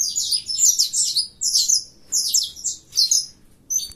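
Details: Saffron finch of a colour mutation singing hard in fibra style: bright, high, buzzy chirp clusters repeated about every half second, tapering off near the end with a single thin note.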